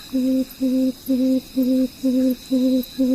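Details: Tawny frogmouth (Podargus strigoides) giving its oom call: a low, soft, hollow 'oom' repeated steadily, about two even notes a second, over a faint thin high hum.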